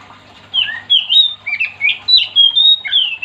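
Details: Lively Oriental magpie-robin song intended to set off other magpie-robins: a string of about eight clear whistled phrases, some swooping downward, others flat or rising, delivered quickly with short gaps and a faint low hum behind.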